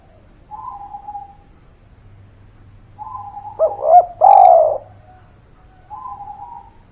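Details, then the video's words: Lure call of a spirited spotted dove, meant to get reluctant birds calling: faint hummed notes frame a burst of two short bouncing coos and a drawn-out falling coo, quiet background. "Suara Pancingan Derkuku Gacor Buat Pancingan Burung Malas Bunyi, Langsung Nyaut"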